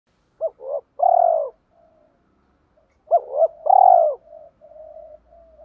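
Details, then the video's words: Spotted dove decoy cooing in the morning to call wild doves: two phrases of short clipped notes ending in a long, mellow, falling cooo, with soft low murmurs trailing between them. "tieng chim cu gáy kích bổi, chim cu mồi gáy gọi bổi buổi sáng"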